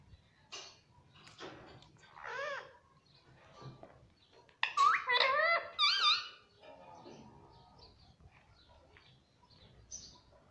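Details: Talking pet Indian ringneck parrot in a small room, taught "mummy" and "papa": scattered squeaks and clicks, then a burst of loud wavering harmonic syllables halfway through, followed by quieter squeaks.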